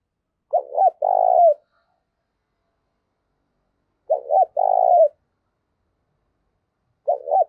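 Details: Low, mellow coos from a spotted dove used to incite fighting and attract wild doves. Phrases of a double short note and a longer coo repeat roughly every three seconds, and a third phrase is cut short.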